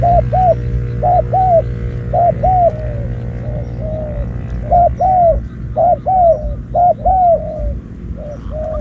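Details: Wild doves lured by a spotted dove decoy: repeated mellow cooing in pairs and trios, with some softer, longer coos between. Steady low hum underneath.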